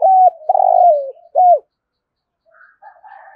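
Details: Spotted dove in thúc gù calling, thổ rền voice style. A loud low coo leads into a long rolling, buzzing note that slides down, then a slurred falling coo. Faint softer coos follow after a pause.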